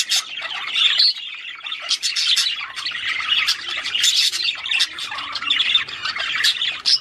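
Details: Courting budgerigar song to prompt a female to breed: a continuous rattling, chattering warble of harsh squeaks and quick chirps, barely pausing throughout.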